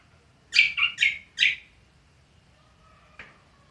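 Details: Cucak kombo in ngriwik song: four loud, quick, slurred chirps in under a second, then silence and one faint final click.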